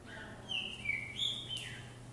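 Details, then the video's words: Quieter whistled phrase from a caged green-winged saltator on a hopping perch: two or three long, falling notes set against a noisy background and a low hum. "Trinca ferro Vigor no pulador"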